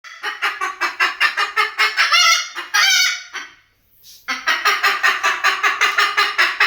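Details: White cockatoo imitating a chicken: harsh, buzzy clucking notes repeated rapidly in a steady run, a longer raspy squawk near the middle, then a brief pause before the fast clucking resumes.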